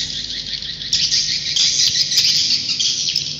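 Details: Swiftlet roosting call: a dense, continuous high-pitched twittering chatter of many overlapping chirps, with a steady low electrical hum underneath.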